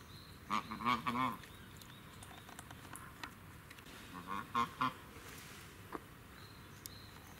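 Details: Domestic duck at Hachimanyama Park animal house, Tochigi, Japan, 30 April 2018, giving two bursts of harsh, nasal quacks, three or four in quick succession each time, over a steady background hum.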